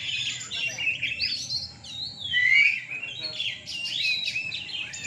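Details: Caged Oriental magpie-robins (kacer) singing at a night bird-song contest on hanging poles in Rungkut, Surabaya, Indonesia: dense overlapping whistled phrases, rapid chattering trills and rising slurred notes, with a low murmur of crowd noise underneath.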